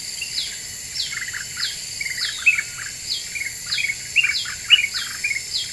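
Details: Black-winged bulbul song for luring other birds into agitation: lively chattering notes in the lower register under evenly spaced high descending whistles, with several bright accented chirps toward the end.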